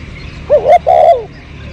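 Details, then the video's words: Backyard spotted dove, filmed behind house plants during bird luring in 2022, giving a brief phrase of two mellow coos, the second longer and trailing downward, with light hiss behind. "Pikat burung terkukur"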